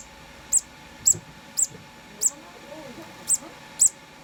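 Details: Hand-fed conure chick, two days old, repeating short piercing high peeps about every half second, seven in quick succession over low murmuring background noise.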